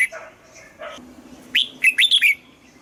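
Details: Red-whiskered bulbul singing in the morning during song training, in the mature wild double-note style. Soft chirps open, then one bright burst of five quick whistled notes that rise and fall, with a faint low hum underneath.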